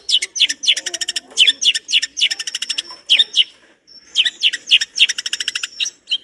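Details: Long-tailed shrike singing continuously in a rich, complete repertoire used as master training material: rapid bursts of sharp, buzzy, harmonic notes in quick clusters, with a thin high whistle threading through and a short pause near the middle.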